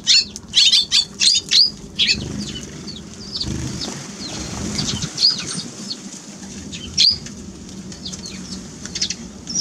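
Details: Eurasian tree sparrow giving a quick burst of loud, sharp chirps, about eight in the first second and a half, then scattered single chirps and soft chatter over a low background murmur.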